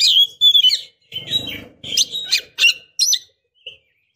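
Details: Oriental magpie-robin female luring a male to anger, sing or mate: clear high whistles, then buzzy chirps and short phrases over faint low rustling noise, ending with a soft chip.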